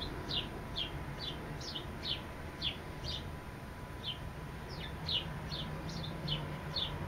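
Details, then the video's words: Sparrow song of bright, falling chirps delivered in loose clusters, roughly two a second with brief pauses, heard over a steady low rumble. "sparrow sings"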